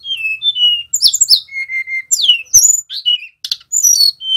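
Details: Learning young male Sunda robin in ngerol song, meant to stimulate other birds: varied whistled phrases, some falling, one long level whistle, quick twittering slurs and short buzzy notes.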